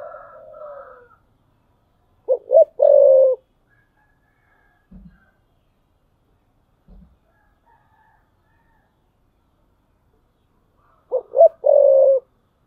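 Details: Spotted dove used as a perched decoy, 2022, 'thúc bổi' cooing: two loud phrases of two short hoots and a long throaty coo, about nine seconds apart, with faint knocks and a brief softer call at the start.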